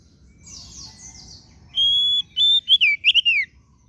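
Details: Kacer daput oriental magpie-robin: soft buzzy twittering, then a loud phrase of a held whistle followed by quick slurred notes that rise and tumble downward.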